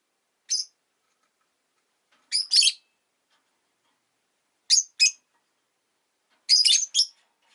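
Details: Sharp, high-pitched chirps of a pet rosy-faced lovebird, given singly or in tight pairs and triplets with quiet gaps between.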